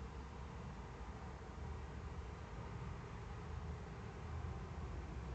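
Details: Low, constant rumble and hiss recorded in the Eifel in the early morning, like distant traffic, with no animal calls.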